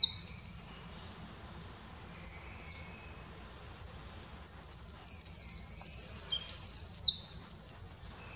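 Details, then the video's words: Eurasian wren song recorded in the Eifel region of Germany, a brief shrill burst followed after a silence by a long, very fast rattling trill of high, sharp notes lasting over three seconds. "Eurasian Wren singing. Zaunkönig singt."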